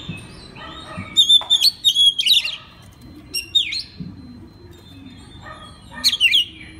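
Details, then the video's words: Oriental magpie-robin singing for use as a master recording that trains other magpie-robins: rich melodic whistles with rising and falling slurs in two long bursts and a shorter closing phrase, separated by brief pauses. "isian master kacer. suara kacer"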